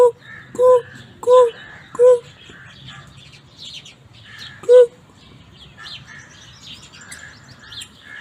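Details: Peacock calling: four loud, nasal, wailing calls with strong harmonics, spaced about a second apart in the first five seconds, then fainter chirping of other birds in the background.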